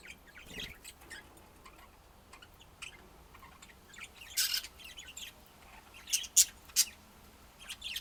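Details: Budgies warbling softly with scattered sharp squawks, a loud burst midway and several clipped chirps toward the end.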